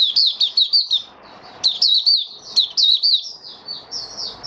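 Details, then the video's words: Caged white-eye opening its song on 08012022, stabilizing its form: clustered high twittering phrases of quick slurred chirps, bursts separated by brief gaps, in a quiet setting. "Mata Puteh Raja Stablizing his form buka sing"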